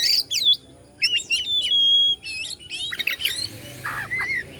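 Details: Oriental magpie-robin (kacer) from Bandung, Indonesia, singing to excite rival birds: quick looping whistles, a long level whistled note, then harsher, lower scratchy calls at the end.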